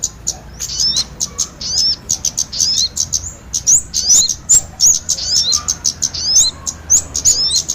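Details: Kemade and sogon mix played to lure birds for trapping: clipped high chirps in short groups, many with quick upward-bending whistles, spaced by brief silences.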